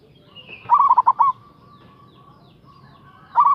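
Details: Big-voiced local zebra dove calling to provoke a rival. One bubbling phrase of six short coo notes, a thin drawn-out tone after it, and the start of a second phrase at the end.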